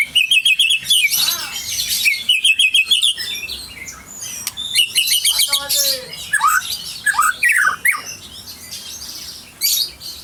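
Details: Aceh-strain white-rumped shama, described as a champion, opening with rapid repeated high chirps in tight bursts, then shifting to varied slurred whistles, downward sweeps and scattered calls.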